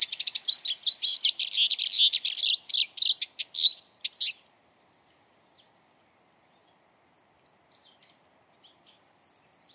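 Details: Eurasian siskin (Carduelis spinus) giving a rapid, dense burst of high chirping twitter for about four seconds. It then breaks into a few faint, thin wheezy notes spaced apart over a low, quiet background hiss.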